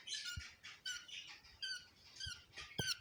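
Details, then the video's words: Quieter budgerigar chirps at egg-hatching time: short, separate, buzzy harmonic calls spaced through the clip over a faint hiss, with a couple of low taps. "budgie egg hatching video"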